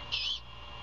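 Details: Early morning on 21 February 2022 at a Savannah nest camera, a great horned owl mother feeds her owlet; a single short, rasping hiss-like screech of a few tenths of a second rises over constant low hum.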